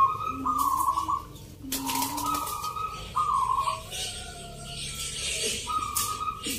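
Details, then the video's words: Contest zebra doves (perkutut) singing Mentaraman Nglagu Ngepat rhythm at a Jogjakarta competition, 19 November: short trilled coo phrases alternating with lower notes, gaps between, a sharp knock and crowd hiss in the background. "Pertarungan sengit Perkutut lokal irama 😱Suaranya ngerih"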